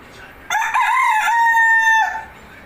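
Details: A white Polish rooster gives one crow lasting about a second and a half: a few rough, broken opening notes, then a long, steady, slightly falling tone.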